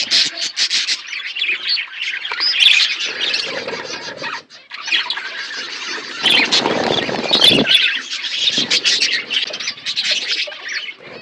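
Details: Aviary budgerigars in a forest-like setting give busy, overlapping chirping and twittering, broken by a brief lull before halfway, with a rough scratching noise mixed in during the second half.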